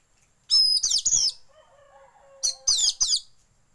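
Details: Oriental magpie-robin lure song meant to make caged birds open their tails, mixed with white-rumped shama song: loud high shrill whistled and trilled bursts, then a pause with faint low steady tones, then three more sharp high bursts.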